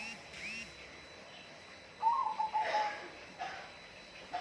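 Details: One short whistled bird phrase, a quick warble followed by level notes, with faint scratchy and broadband noises before and after, over steady background hiss.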